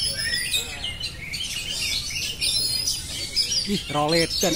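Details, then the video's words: Oriental magpie-robin singing nonstop in the ngerol style: dense, high whistled and chattering phrases layered together, with a lower harmonic rising call near the end over steady background hiss. "kacer phonix ngerol abis"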